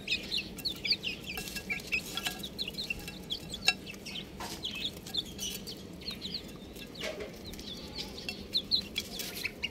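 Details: Domestic chicken chicks peeping together, a steady chorus of short, high, downward-slurred chirps overlapping almost continuously, with faint scratching and rustling beneath.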